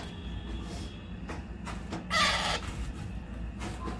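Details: A baby parrot at feeding time gives a few harsh, raspy squawks, the loudest a half-second burst, over a low steady background hum.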